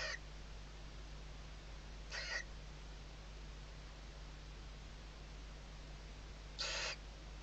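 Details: Barn owl nest webcam, Ebro Delta, Spain, 2023, chicks under the mother's wings: three brief, quieter hissing bursts spaced several seconds apart amid low background hum.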